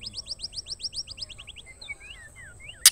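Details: Female white-rumped shama calling the male: a fast run of about a dozen upslurred whistled notes, then scattered sliding whistles, ending in a loud harsh burst, with a steady high electronic tone throughout.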